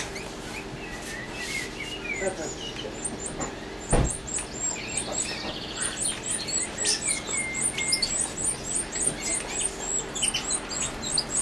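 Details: A female European goldfinch feeding gives thin, very high chirps in quick repeated bursts that grow busier toward the end, with a single dull knock partway through.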